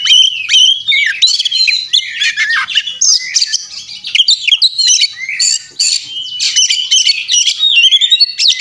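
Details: Fighting Oriental magpie-robin, fluffed and insistent, pours out a dense, nonstop stream of bright whistles, sweeping slurs, harsh squawky notes and rapid trills packed with imitated phrases, with no pauses.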